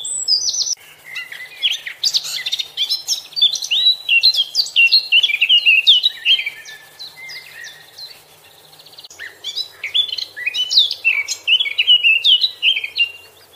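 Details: Eurasian blackcap (Sylvia atricapilla) singing two long, rich warbling phrases of quick varied notes, high and fluty, broken by a short pause near the middle; no other clear sounds.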